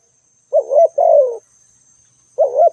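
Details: Calling spotted dove: a two-part hollow coo, the second part drawn out and sliding downward. After a pause of about a second, the next phrase begins. A faint steady high whine runs throughout.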